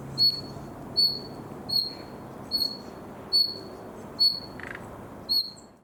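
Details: A young common nightingale, singing in summer while still learning, repeats seven short, high, pure whistles at a fairly even pace, each slurring slightly downward, with a faint buzzy note near the end.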